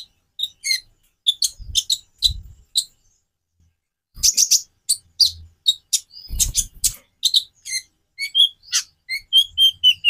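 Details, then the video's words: Konin sunbird song variety for tutoring other songbirds: many sharp high chips and brief twitters in uneven bursts, growing denser toward the end, with occasional low thumps. "Variasi kicau burung Konin bikin burung lain gacor"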